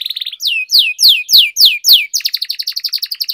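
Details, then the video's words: Canary singing training, long roll song: a brief buzzy trill, five loud downsweeping whistles about every 0.3 seconds, then a quick even trill of sharp repeated notes. "Canary Singing Training, Kenari Gacor Ngerol Panjang,Terapi Kenari Macet, Masteran Kenari Paud"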